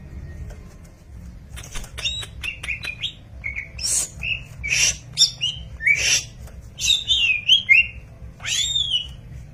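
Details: Greater green leafbird song, somewhat distant: scattered sharp clicks, then curling whistled notes and rasping bursts spaced about half a second apart over low background hum.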